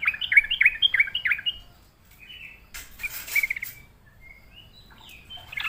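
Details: Sooty-headed bulbul, lured into singing, gives a quick run of rich, bubbly warbled whistles at the start, then a shorter chattering phrase and scattered thin single notes, with a brief hiss of noise.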